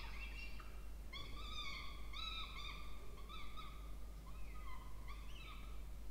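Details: Two peregrine falcon chicks in a nest box in a water tower at Charles Sturt University, Orange, New South Wales, Australia, 20 October 2024, during feeding: drawn-out, harsh, wailing notes repeated roughly once a second over a steady low hum.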